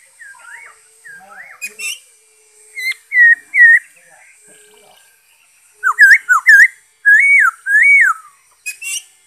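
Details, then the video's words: Song of a black-throated laughingthrush, dated 5 May 2021: scattered soft whistles build into loud, clear, looping phrases. Inverted-U whistled notes come in quick groups of two to four, separated by short pauses. "Saib noog sab hwj zoo nkauj,bay khuou,นกกะรางคอดำ"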